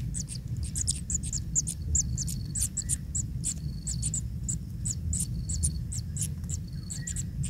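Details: Kingfisher chicks, still pink and naked, begging while a parent feeds them fish; rapid high, thin chittering squeaks repeated in a dense stream, with a few short buzzy notes, over a steady low rumble.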